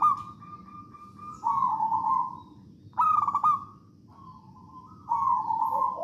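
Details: Zebra dove, a local wild-type Javanese bird, singing loudly as a lure for other doves: long cooing notes near one pitch, broken by a brief rapid bubbling trill, repeated several times.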